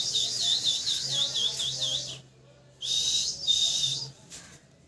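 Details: Loud parrot chirps as high, rapidly warbling whistled phrases, two bursts split by a short pause, over a faint low hum.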